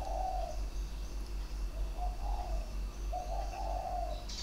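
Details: Spotted dove kept in a bird garden, sharp-voiced, singing three- and four-note phrases, recorded 23 February 2020. Mellow hollow coos repeat about every one to one and a half seconds against a constant low mechanical hum.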